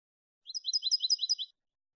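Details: Clean malagueño song of a European goldfinch, used to teach goldfinches: one tight, high, tinkling trill of about seven rapid double notes, evenly paced, with a silent background.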